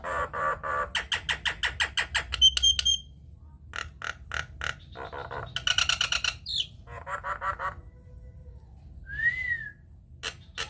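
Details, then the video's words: Nias hill myna singing vigorously as a lure for other mynas. A long train of evenly spaced croaking clicks is followed by harsh buzzy blocks and a single arched whistle near the end. "PANCINGAN / MASTERAN JALAK NIAS GACOR, TEMBAKAN DAHSYAT"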